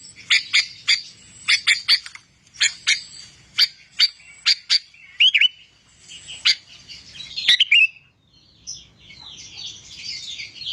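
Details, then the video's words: Clear, lively song of a sooty-headed bulbul used for tutoring: spaced sharp chirps about every half second, a brief slurred whistle, then softer rustling, jumbled notes at the end. "masteran burung kutilang gacor suara jernih"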